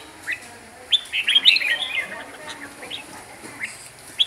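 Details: Singing Red-whiskered bulbul, Huế type, delivering a lively run of sharp rising and falling whistled notes packed in the middle, then scattered single chirps, over faint background talking.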